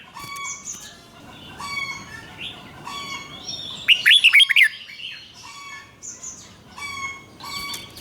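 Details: Caged red-whiskered bulbul singing the doubled 'เบิ้ล' style for young birds to learn: a single loud phrase of quick tumbling whistled notes, over a steady background of other birds repeating short, even whistles.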